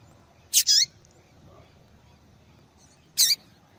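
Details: Double-collared seedeater female calling to excite males; a quick double chip, the second note falling in pitch, then silence and another doubled high chip three seconds later, over low background hiss.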